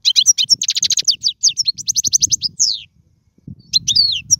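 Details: Goldfinch singing, a recording meant for tutoring young birds: a long run of fast, evenly repeated liquid chirps, a descending slurred note, a brief silence, then renewed twittering with faint low background noise.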